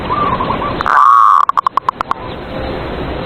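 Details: Caged perkutut, or zebra dove, singing to provoke rivals: a soft distant coo, then a loud sustained warbling note breaking into about eight short separated clicks-like notes that fade out.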